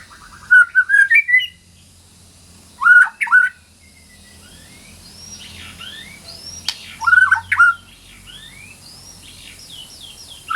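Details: White-rumped shama song phrases meant to prompt quiet shamas to answer. Short bursts of quick whistles and sharp chips come every few seconds, with faint chirps and a steady low hum between them.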